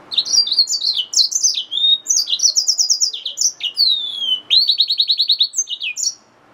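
A yellow-fronted canary hybrid sings a fast, continuous warble of high chirps, slurred whistles and rapid trills, with no other sounds.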